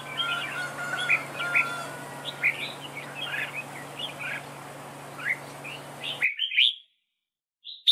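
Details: Red-whiskered bulbul used as a decoy in a trap duel, singing in competition; short whistled and warbled phrases around mid-high pitch repeated over steady background hum, ending in brief silence then a final note.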